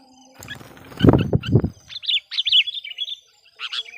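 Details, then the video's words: Decoy sooty-headed bulbul calling to draw wild birds: two dull knocks open the recording, then short clear whistled phrases in bursts with brief pauses, the last phrase arriving after a gap. "suara burung KUTILANG PIKAT gacor/suara PIKAT KUTILANG gacor memanggil kutilang liar"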